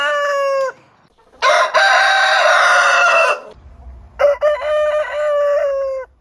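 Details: Long morning crowing of a rooster: three drawn-out crows separated by short gaps, each a loud, strained, level cry with a quick drop at the end. The middle crow sounds the harshest.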